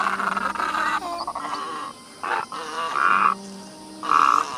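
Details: Flock-gathering calls of great egrets, played to lure birds for shooting or trapping: a long grating croak, then shorter hoarse, nasal squawks spaced about a second apart.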